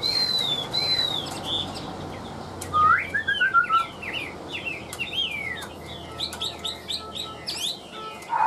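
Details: Chinese hwamei, a tame caged bird with an even voice, gives long whistled notes, a falling series of short whistles, then rapid varied slurred phrases and warbles.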